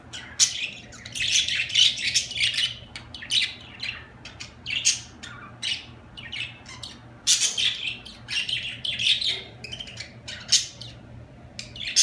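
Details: Several budgerigars chattering continuously, harsh squawks and scratchy chirps in dense clusters with brief pauses, faint low hum behind.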